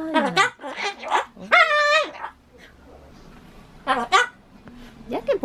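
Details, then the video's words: A Ducorps's cockatoo kept as a pet repeats its looping chatter, attempting bye-bye: rough, strained, speech-like syllables, one drawn-out flat squawk, then quieter clipped notes and a final rising-falling sound, in a small room. "Talking Cockatoo"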